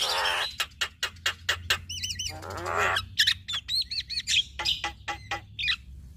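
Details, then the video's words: A male and female Javan myna duet made of regular sharp clicks broken by wavering whistled trills, a raspy buzz and looping high notes. "Duet Jalak Kebo Fenomenal Jalak Kebo Jantan Dan Betina"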